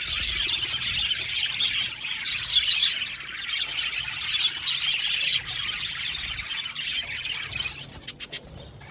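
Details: Flock of budgerigars in an aviary, loud overlapping chirps and raspy squawks that thin out near the end, leaving a few sharp clicking taps.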